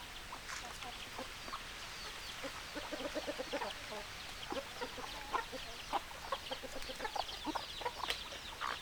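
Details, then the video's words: Hens clucking in a busy flock, many overlapping short, staccato clucks and occasional higher squawks, becoming denser and louder in the second half. "Chicken Sounds Noises Hens Clucking Roosters Crowing"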